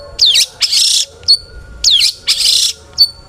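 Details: Long-tailed shrike song meant to provoke other shrikes: two cycles of a looping slurred whistle followed by a harsh buzzy rasp and a short high clipped note, about a second apart.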